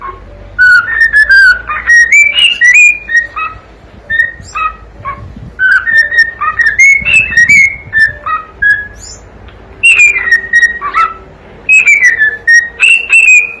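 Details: Pet cockatiel chick whistling a long song meant to entertain and accompany a pet bird, loud, varied whistled phrases that climb and dip in short bursts, separated by brief gaps.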